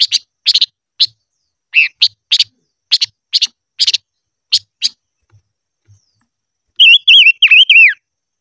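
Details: Silver-eared mesia singing during voice training: a steady run of sharp, high chips about three times a second, then a short break and a quick warbled whistled phrase, rising and falling, at the end.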